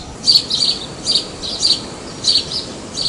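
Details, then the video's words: House sparrow (Passer domesticus) at Praia de Pipa, Tibau do Sul, Rio Grande do Norte, Brazil, gives bright, simple chirps, six or seven in three seconds at an uneven pace, over soft low hiss. "SOM DO PARDAL, CANTO DE PARDAIS"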